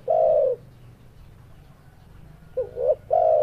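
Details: Spotted dove calling, meant to provoke other doves that hear it: a low, mellow drawn-out coo, a long pause, then two short coos and another long coo.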